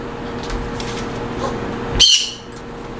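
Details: A single sharp, harsh squawk from a green-cheeked conure kept in an aviary with communal breeding birds, preceded by faint distant calls and a low hum.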